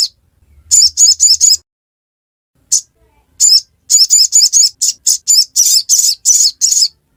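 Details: Ngiriwek song from a crimson sunbird: a short run of four sharp high chips, a single note, then a long rapid, slightly accelerating series of piercing chips.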